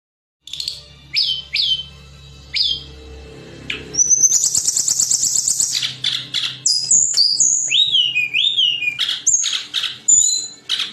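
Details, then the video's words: Olive-backed sunbird song used to train songbirds: thin high chirps, then a long buzzy trill, followed by rapid whistled notes sliding up and down, with a faint low hum beneath. "Audio Masteran Tledekan Gunung Suara Tembus & Cadas"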